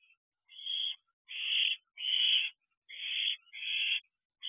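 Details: Ten-week-old owlets at a nest box at night, 18 June 2023, 10:28 pm: a run of five drawn-out, breathy hissing screeches, each roughly half a second long, evenly paced with brief silences between.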